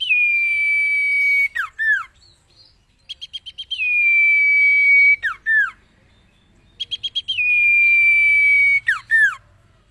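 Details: Song of the common iora for training cage birds: long flat whistles, each followed by two quick descending notes. Rapid chip series lead into the second and third phrases, with pauses between them.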